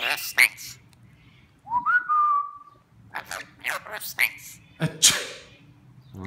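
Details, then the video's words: A pet talking rainbow lorikeet sneezes and mimics speech ("bless you", "your breath stinks"), mixing a clear whistle, first rising and then held, with short sharp sneeze-like bursts and speech-like syllables, while a person's voice is faintly audible. "Talking rainbow lorikeet"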